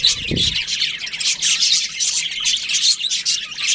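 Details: Breeding-season budgerigar colony, constant high-pitched twittering and chirps from many birds, opened by a brief low thump.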